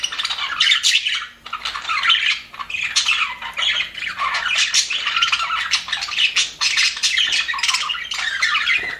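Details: Happy budgerigars kept in an aviary, a flock chattering nonstop: dense overlapping chirps, squawks and warbles, bright and scratchy, with two brief dips in the din near the start and the middle.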